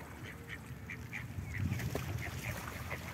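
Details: A small diving duck, being fed by people, gives a run of short, soft, high notes, about three each second, over a low rumbling background.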